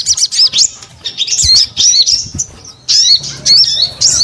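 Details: Sogon delivering bursts of high, wavering chirps and squeaky twitters, grouped in short phrases with brief gaps between them.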